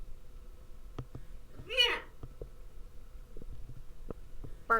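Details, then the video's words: Pet parrot indoors, prompted by its owner to imitate sounds, answers with a loud, bending, harmonic squawk, then a second short call at the end, amid light tapping clicks. "Talking Parrots"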